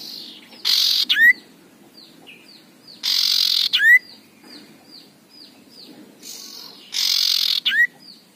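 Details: Three harsh buzzy rasps, each capped by a rising whistle, from an aggressive male common iora, with strings of soft repeated slurred notes in the gaps.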